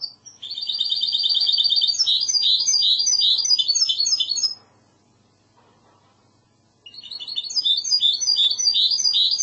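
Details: Hybrid goldfinch in Andalusian classical song: a long, high, buzzy rattling trill that breaks into varied twittering notes, a two-second silence, then a fresh burst of quick chirping.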